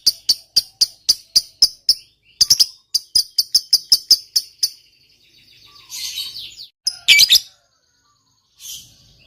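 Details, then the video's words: Fighter lovebird giving its long ngekek trill to provoke other lovebirds; sharp, high chirps repeat rapidly for about five seconds with a short pause, then give way to softer rustling and scattered squeaks. "Suara Burung Lovebird Ngekek Panjang, PINTAR Memancing EMOSI, LB Bisu SUSAH BUNYI Langsung NYAUT"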